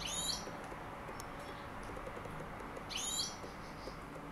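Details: European goldfinch (Carduelis carduelis) giving two brief, bright, twittering rising calls about three seconds apart over a steady background hiss.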